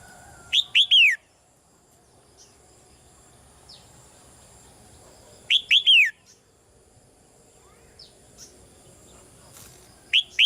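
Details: Female red-whiskered bulbul calling softly from a cage to spur the male's louder singing. Three-note whistled phrases, each ending in a falling slur, repeat roughly every five seconds, with faint scattered chirps in between.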